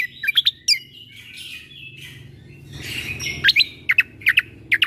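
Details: Cucak kombo, greater green leafbird, singing a 'tembakan' tutor song meant to be played to young shamas: quick sharp high notes, a warbled buzzy phrase, then a run of staccato whistled strokes at the end.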